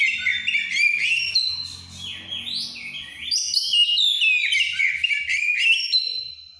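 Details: White-rumped shama in heightened breeding condition, singing in the plain, loud ngeplong style: a continuous run of rich, varied whistles, sliding notes and quick trills, high and bright, over a faint low hum.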